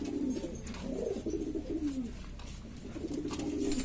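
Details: Domestic pigeons of various breeds from Lombok, Indonesia, a noisy group cooing in low, wavering tones, one coo bending downward mid-clip, with faint tapping in the background.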